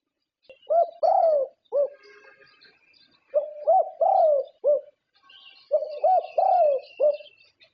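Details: Thai competition-champion zebra dove cooing in three similar phrases a couple of seconds apart, each a short note, a rising coo, a long descending rolled note and a final clipped coo, with faint chirping behind.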